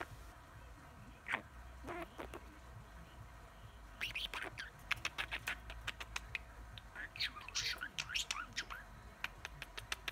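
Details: A male pet budgerigar that talks nonstop and says over 20 phrases chatters in a rapid, high-pitched stream of squeaky, word-like syllables and warbles.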